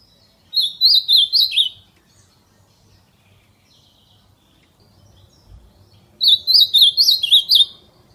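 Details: Ultramarine grosbeak singing the fibra song style in nature: two bright warbled phrases of quick rising-and-falling slurred whistles, each about a second long, separated by a quiet pause of several seconds; faint low background hum.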